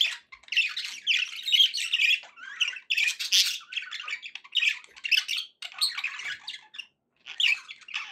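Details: Pet budgerigars described as happy, chattering in a busy warble of harsh squawks and buzzy chirps. The bursts last about half a second to a second, are loud and close, and are separated by brief pauses.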